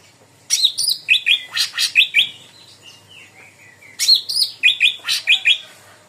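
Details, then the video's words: Lure recording of sooty-headed bulbul singing: lively chirped phrases of rising notes and high sharp accents, a brief softer warbled stretch in the middle, then the bright repeated chirps return. "CUCAK RANTING GACOR || PANCINGAN CUCAK RANTING"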